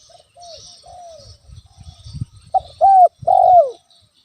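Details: Tekukur, the spotted dove, giving a provoking call to stir a rival: soft opening coos, a patch of low rumbling thuds in the middle, then a loud phrase of a short note and two long mellow coos.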